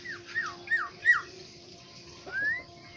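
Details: Black-naped oriole from Aceh giving short downward-slurred whistles, three in quick succession, then after a pause a longer rising fluty whistle, over a steady low background hum.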